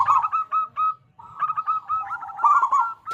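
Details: Local zebra dove with a big, crystal-clear voice, used to coax other zebra doves into song. Evenly spaced coos run into a denser, rolling stream of hooked notes.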